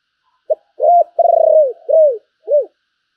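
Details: Spotted dove decoy bird calling: a short note, then a long pulsing coo falling at its end, followed by two arched hollow coos, all low and mellow against silence.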